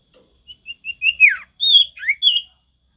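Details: Javan tesia male, forest-style natural song: three soft rising introductory notes speeding into loud high whistled slurs that swoop down and up, sharp and clear.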